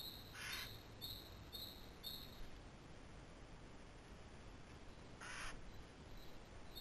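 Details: A Eurasian jay, filmed by camera trap as it calls and jumps from branch to branch, gives two harsh, rasping screeches about five seconds apart. Thin, high, repeated notes from another bird sound over a steady low rumble.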